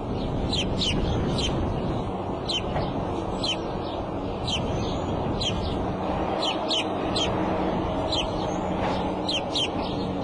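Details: Female bald eagle calling at the Decorah nest, April 5 around 2:30 pm, before leaving, with the male arriving soon after: a long run of rapid, high, downslurred piping notes, irregularly spaced, over steady low background noise.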